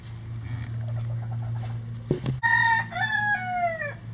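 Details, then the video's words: Rooster crow at a farm housing at least 20 standard and bantam chicken breeds. Soft clucking and low hum come first, then a knock, then a strong crow with bright stepped harmonics and drawn-out falling notes. "20 Roosters Crowing For 20 Minutes"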